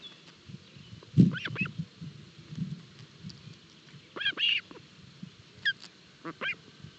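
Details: At a forest nest in Barlinek on 25 June 2022, Osprey chicks fed at early breakfast give scattered high, thin chirping calls in short clusters, over a low thud and rustling background.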